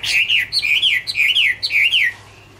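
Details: Chinese hwamei song in autumn: rich, loud whistled phrases that wave up and down, four rolling slurred notes in quick succession followed by quiet.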